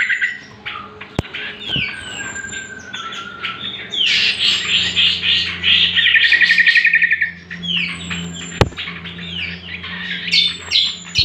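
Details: Greater Green Leafbird singing, a recording used as a lure and master to train other birds: varied loud whistles, slurred chattering phrases and a fast buzzy trill midway, over a steady low hum with occasional sharp clicks.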